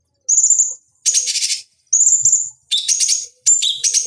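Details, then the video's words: Bulbul called cucak cungkok, used to stimulate fighting birds: thin, high, level whistles alternating with loud buzzy pulsed rattles and quick two-tone chirping phrases, closely spaced. "Masteran Pancingan Cucak Cungkok Ampuh Untuk Terapi Dan Masteran Burung Petarung"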